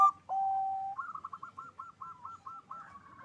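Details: Zebra dove, local strain, singing loudly to stir mating drive: a brief high note, a long steady coo, then a rhythmic series of about nine rolled notes at an even pitch.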